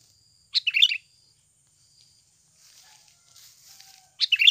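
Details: Sooty-headed bulbul lure recording, natural call used to provoke other birds into calling: two quick bubbling, chattering phrases separated by about three and a half seconds of near silence with faint hiss.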